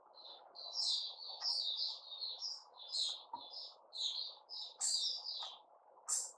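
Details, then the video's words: White-rumped shama, recorded 29 August 2021, pouring out a continuous varied song of clear, high whistles and warbled notes. Some notes are sharper and louder, over a steady low hum. "Puteh Raja Sing Buka"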